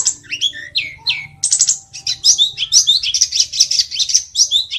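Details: Mountain tledekan singing a fast, busy song of high chirps, trills and buzzy notes, mostly very high-pitched, with short rapid phrases running together throughout.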